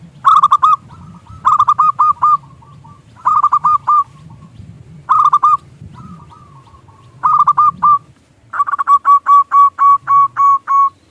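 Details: Zebra dove of a local strain, singing as a lure to make others coo: bursts of quick, rolling coos repeated every second or so over a low murmur, ending in a long even run of notes.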